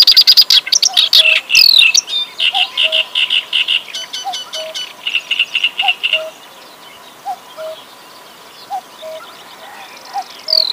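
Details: Clamorous reed warbler in full, lively song: dense bursts of harsh, chattering high notes and sharp rattles that fade after six seconds. A soft, low two-note whistle repeats about every second and a half in the background.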